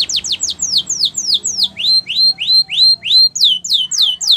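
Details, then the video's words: Canary champion training song of crisp repeated syllables: sharp downward-sweeping whistles in quick succession, shifting to rising upslurred notes, then back to high descending notes, steady rhythm around three per second. "Canary Training Champion Song"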